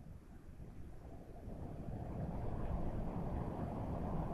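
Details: Rising low wind rumble buffeting the microphone, with no animal calls heard.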